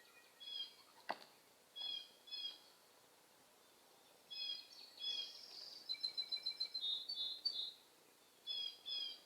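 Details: Hungry young blue jay begging with short nasal calls in pairs, then a quick run of rapid, stuttering notes and a longer drawn-out call, broken by a single sharp click.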